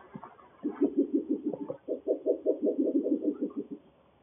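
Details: Breeding pair of Spectacled Owls duetting in Guanacaste, Costa Rica: low, hollow, knocking hoots in quick runs of about three per second, two overlapping series lasting around three seconds.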